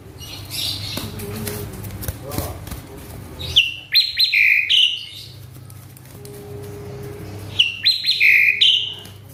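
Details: Agitated caged male Asian pied starling: after a stretch of soft rustling, two loud bursts of sharp whistles and slurred buzzy notes, about four seconds apart, over a faint low hum.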